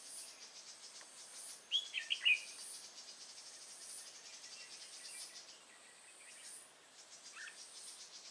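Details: Red-whiskered bulbul during bird trapping with a decoy bird at Nuông Dăm, 6 May 2018: a short burst of quick, bright warbled notes, then quiet, over a steady, high, pulsing insect chorus.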